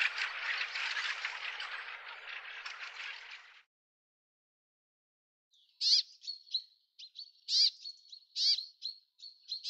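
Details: Bramblings visiting a garden, April 2013. Several seconds of broad rushing noise, then silence, then bright high chirps with steep falling strokes, each followed by a thin steady whistle, in a loose, uneven series.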